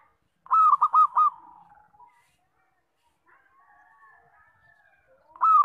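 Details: Local zebra dove singing loudly, used as a trapping lure. A bright phrase of four quick arched coos fades into softer trailing notes, then a new loud phrase begins at the end.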